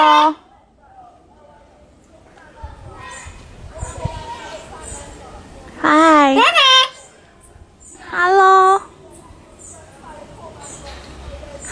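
A Saint Vincent amazon talks in two loud, hoarse, word-like bursts with a wavering pitch, each under a second. A person's softer voice is heard in between.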